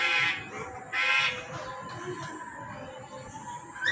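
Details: A tame black-capped lory (Lorius lory) gives two loud, harsh, raspy screeches about a second apart, followed by quieter scratchy calling and a final rising squawk.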